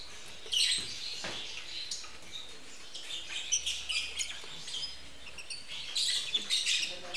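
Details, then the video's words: Lovebirds mating at a breeding facility; rough, shrill chirps and squeaks stream in irregular clusters over a steady low background hiss. "Burung lovebird kawin"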